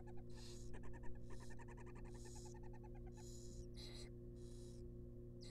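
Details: Barn owl chicks in a wild nest box, fed a rabbit, alternate loud snoring hisses with bursts of rapid ticking. A steady mechanical hum runs throughout.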